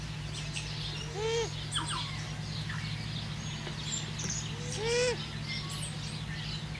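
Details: Pukeko (purple swamphen) preening at Nga Manu, New Zealand: two harsh, nasal screeching calls, each arching up then down, about four seconds apart, over a steady low hum, with small birds chirping faintly around them.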